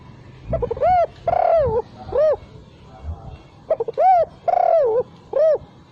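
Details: Lure recording of a spotted dove cooing without the final 'kuk': two phrases of short clipped notes leading into an arched coo, a drawn-out wavering coo and a rounded closing coo, with soft low rumble between.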